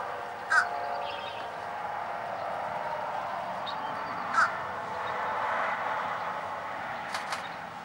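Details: Fish crow (Corvus ossifragus), call.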